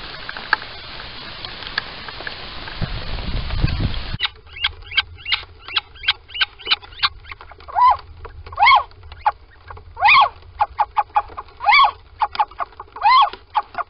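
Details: Little owl in a nest box at Sprundel on the morning of 13 February 2020, two owls going inside, squeaking and calling. After rustling, mid-pitched arched calls are repeated in an uneven series, some louder than others.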